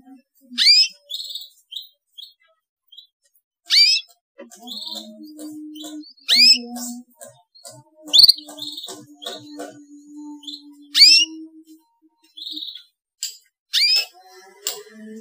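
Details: Young canary chirping to stir silent canaries into song: sharp upward-sweeping chirps repeated every two to three seconds, with short buzzy notes between and a faint low steady hum underneath.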